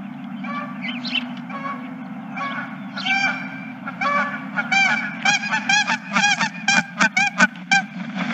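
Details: Geese at a ranch on 2023-03-31: scattered honks at first, then a quickening run of loud, harsh, evenly spaced honks in the second half, over a steady low mechanical hum.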